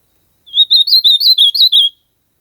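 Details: Ultramarine grosbeak song recorded in nature: a clean, fast series of about eight looping whistled notes, each one slurred up and down, forming a single phrase of about 1.5 seconds against silence.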